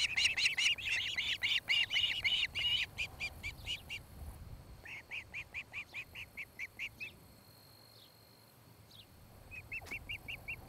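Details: Osprey at a Charlo, Montana nest camera, 26 July 2018, 17:01–18:01; rapid whistled chirps fading in strength, a second softer series, a quiet gap, then a few faint chirps.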